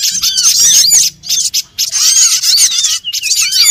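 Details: Small birds in a trapping lure: bursts of high squeaky chirps and arched whistles from several callers, broken by short silent pauses of under half a second, the chatter resuming after each gap.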